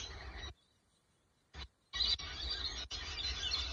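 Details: Lorikeets eating palm flowers give harsh, rasping screeches in dense bursts, broken by brief silences, with a low background rumble underneath.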